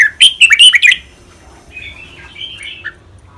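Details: Caged red-whiskered bulbul, one of two competing males, sings a rapid run of loud bubbling whistles in the styles called rik, boen and lak wai. A quieter, drawn-out warble follows.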